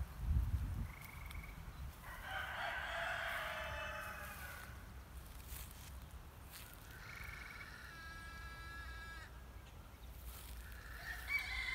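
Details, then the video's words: Green heron, possibly nesting in a tree, calling in alarm as a person approached. Harsh, rasping two-second bursts alternate with drawn-out nasal notes with a buzzy, layered tone, over a low rural rumble. "Green heron alarm call?"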